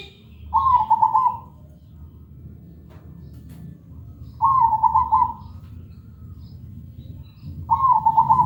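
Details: Perkutut, or zebra dove, in full loud, clear, melodious song, used as a lure to get other perkutut singing: three rapid, rippling coo phrases, each about a second long, spaced roughly three seconds apart over a steady low hum.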